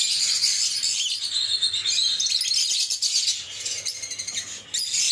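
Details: Lovebird singing and chirping: dense, shrill, high twittering with scratchy chatter running nearly continuously, briefly dipping near the end.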